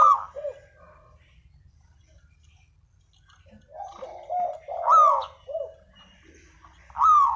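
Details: Spotted dove lure call for trapping: scattered low coos with a long quiet gap, then louder throaty coos and short falling notes toward the end.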